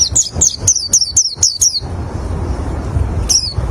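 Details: Oriental white-eye song used to lure other white-eyes; a rapid series of high, thin, descending chirps repeated about four times a second for two seconds, then a pause and one more chirp, over a low rumble.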